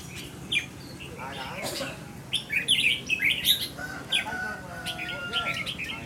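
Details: Red-whiskered bulbul kept as a cage bird, tested for its temperament, gives bright, chirpy phrases of short, scratchy notes, loudest in the middle seconds, with faint lower tones, possibly voices, beneath.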